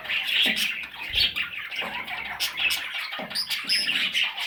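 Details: Parrot chicks in hoarse, grating squawks that pulse in repeated swells, with a few sharper high squeaks near the end and light knocking sounds.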